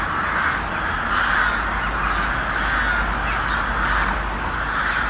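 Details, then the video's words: Loud flock of crows cawing, dense rasping calls layered over one another in a steady, unbroken clamour with a low background rumble. "Crows making Noise | Crows Cawing"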